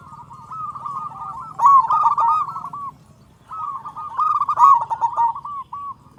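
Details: Zebra dove of a local type, singing loudly to prompt other doves to call: two phrases of fast rolling coos, each peaking in a loud burst, separated by a brief quiet gap, with a soft low hum.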